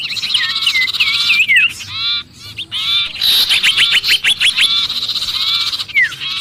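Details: Sirpu calling in distress as if caught, used to lure other birds: wavering looped whistles, then rapid staccato ticking chatter and a final falling whistle.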